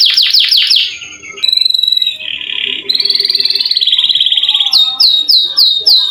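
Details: Canary in a long rolling song meant to coax reluctant canaries to sing, shifting from descending slurs to steady high whistles, a rapid buzzing roll, and finally quick repeated falling notes.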